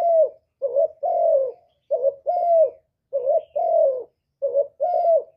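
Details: Spotted dove giving its 'hap boi' style song of calling, urging and cooing, cleanly recorded. Paired mellow notes, a brief dip then a drawn-out falling coo, come in steady groups with short gaps, no other sounds.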